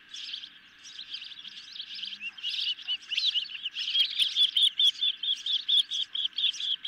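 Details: Calls from hungry ospreys feeding on a medium-sized fish at their nest, filmed by nest camera late on 10 July 2021. Scattered thin chirps give way to a steady, insistent run of loud, piping notes, over two per second.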